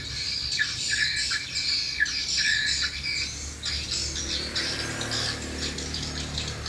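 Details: Swiftlets at a mini swiftlet house responding strongly to a lure sound: dense high twittering chirps in rapid bursts, with a steady low hum underneath.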